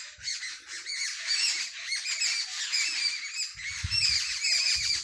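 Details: A flock of sparrows chatters in a village in the early morning: dense, high twittering with occasional clearer whistled notes and a few low thumps in the background.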